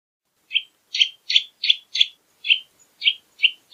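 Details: Eurasian nutcracker repeating coarse, noisy rasping calls at an uneven pace, about two to three per second, each note short and scratchy, in an otherwise quiet background.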